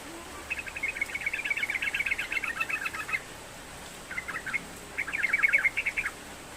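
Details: Sooty-headed bulbul singing nonstop, used to trigger song in a lazy bird: a long fast rattle of chattering notes, a pause, then two shorter bubbly bursts.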